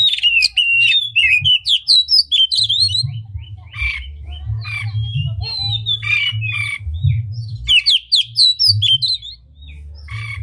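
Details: Singing oriental magpie-robin, a tail-spreading bird whose unusual song serves to excite rival magpie-robins into song: bursts of fast, jumbled whistles and scratchy chirps alternate with softer, spaced phrases over a steady low electrical hum.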